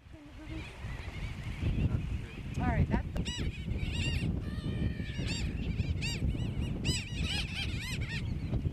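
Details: Brown booby (Sula leucogaster) at Johnston Atoll on 16 June 2001 gives hoarse, arching honks in quick runs, several per second toward the end, over heavy wind rumble and a person's voice.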